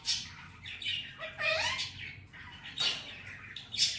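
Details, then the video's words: Male Indian ringneck parrot kept at home, voicing Hindi-Urdu words: rough, hoarse syllables with a sliding, wavering tone in the middle and scattered sharp bursts. "Talking parrot real voice, and saying Mitthu bete"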